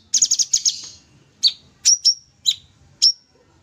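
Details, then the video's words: Sooty-headed bulbul, full 'tembak' singing for a master recording: a buzzy stuttering trill lasting under a second, followed by five evenly spaced high chirps, several ending in thin falling whistles. "Cucak Cungkok full tembak gacor"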